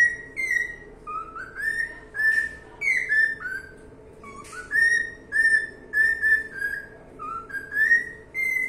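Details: Cockatiel song of repeated clear whistles, some swooping upward from a lower start, others held level, delivered in a lively uneven sequence across the whole stretch with only a faint hum behind.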